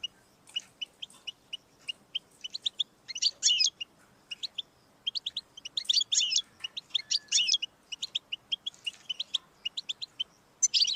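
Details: Goldfinch singing to stimulate a pet bird's song: a long, fast stream of liquid twittering and chirps with several dense, buzzy trills scattered through it, continuing without pause.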